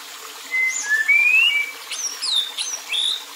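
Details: White-rumped shama performing agitated kretekan to provoke rival males: long level and rising whistles, then sharp falling high notes and brief slurred whistles, each separated by short gaps.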